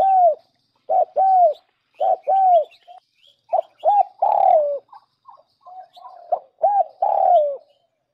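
Spotted dove giving soft, mellow coos in repeated phrases, a short note followed by longer drawn-out, slightly falling coos about once a second; nothing else heard.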